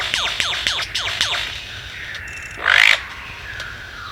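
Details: Male superb lyrebird, an expert mimic, singing while flitting between trees in Sherbrooke Forest, Dandenong Ranges, east of Melbourne: five quick, ringing downward-sweeping notes a quarter-second apart, then a brief harsh burst and faint twittering.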